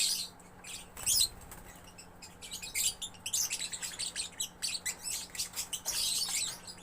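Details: Young lovebird singing energetically, a continuous stream of harsh, high chattering notes and rapid squeaky bursts, rising and falling in loudness, over a faint steady hum.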